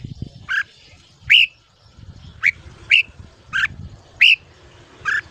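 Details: Red-whiskered bulbul, morning ché-style training sound for young birds: a series of short, clear whistled notes given singly at irregular intervals of roughly half a second to a second, over quiet low background rumble.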